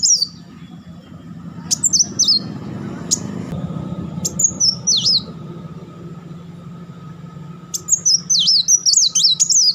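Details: High looping chatter notes from a purple-throated sunbird (kolibri wulung) come in scattered short bursts with sharp clicks. The clip ends in a fast rapid-fire run, over a steady low rumbling background.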